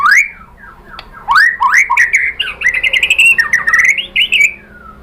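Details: White-rumped shama singing as a lure for other birds: sweeping upslurred whistles, then a rapid rich warble with clicks, ending in a long level whistle fading downward.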